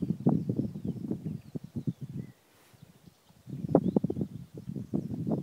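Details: Black grouse, eastern Ore Mountains, 3 April 2016, recorded with an iPhone 4 through a spotting scope: steady low throbbing bubbles that break off for about a second, then resume just as strongly.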